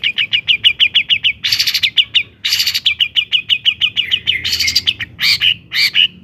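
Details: Vigorous long-tailed shrike song, meant to provoke other shrikes into singing: fast clipped high ticking notes broken by loud, harsh rasping bursts, with later notes swooping and slurred.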